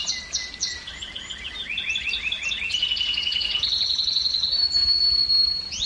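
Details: Canary song used to urge females to mate, opening with separate chirps, building into rolling trills that climb in pitch, then settling into a long, thin, steady high note before a final chirp.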